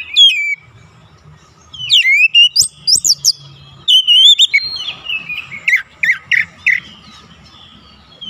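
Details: Oriental magpie-robin (kacer) song used as bait to provoke other magpie-robins into fierce singing. Loud, varied whistled phrases of sharp rising and falling notes and quick trills come in bursts with short pauses over a faint low hum.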